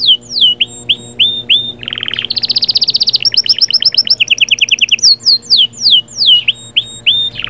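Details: Canary song performed to prepare a hen for breeding: clear falling whistles, a low buzzy burst, a dense high rolling trill, then more swooping downward notes repeated in series.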